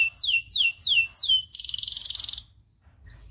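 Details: Long-rolling tutor song of a local loper canary: four clear whistles sliding steeply downward, followed by a fast buzzing roll that stops abruptly, leaving near silence.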